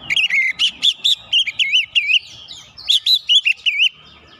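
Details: Oriental magpie-robin song, used to provoke other birds into singing: loud, rich series of rapid, wavering whistled notes repeated in quick bursts, with a fainter warbling passage in the middle.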